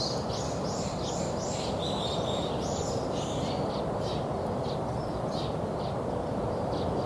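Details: Bird chirping in a park at Lokeren, Belgium: a run of high, quick twittered notes in the first half, fading to sparser faint chirps, with constant low background rumble.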